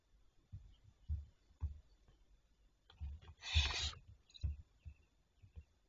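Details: Barn owls recorded on 27 May 2023 at 07:52: one harsh, breathy hissing screech lasting about half a second, amid soft low knocks and thumps.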